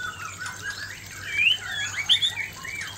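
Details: Male white-rumped shama singing at an aggressive female: short, bright whistled notes, some quickly rising, scattered over three seconds with soft background chatter.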